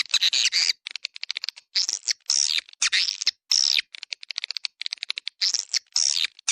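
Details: Swiftlet attraction call, 'Dua Bidadari' style: longer buzzy rattles alternate with quick clusters of clicking chirps, creating a busy, chattering texture meant to draw swiftlets in.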